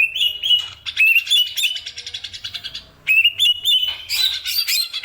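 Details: Greater green leafbird song: bright warbled whistles with trilled undertones, two long phrases of looping slurred notes broken by a short quiet gap.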